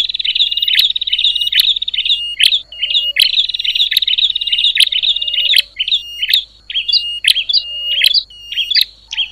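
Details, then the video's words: Bar-winged prinia making noisy calls to rouse other prinias: long buzzy trills early on, then spaced sharp chirps, over a steady low background hum. "Suara ribut burcil prenjak,bikin geger prenjak lain"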